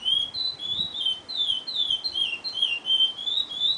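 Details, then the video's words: A young chestnut-bellied seed finch (curió), still in juvenile colouring, sings a steady run of clear, high warbled whistles slurring up and down, several phrases each second. "Curió Bilutetéia"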